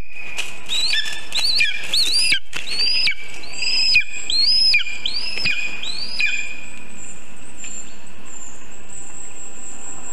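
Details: At 9:24 am on 19 August 2023, during a vole delivery to a Lesser spotted eagle nest built in a birch some 20 metres high in Zemgale, a camera recorded a run of thin, rising, whistled yelps that fade after about six seconds.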